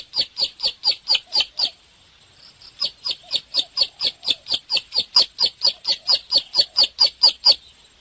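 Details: Bar-winged prinia singing in lively 'gacor' style: a fast run of sharp, clipped chirps, about four per second, breaks off briefly after nearly two seconds, then resumes with the same steady, evenly spaced notes until the end. No other clear sounds.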